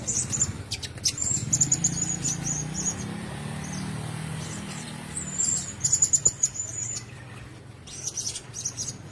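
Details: Caged Blue-crowned hanging parrots give sparse, thin, high trilled chirps in short runs, separated by quieter stretches with a low background hum.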